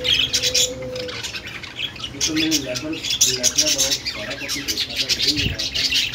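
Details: Busy budgerigar chatter: many overlapping high chirps and harsh squawks, with a brief low tone early on and a thump near the end.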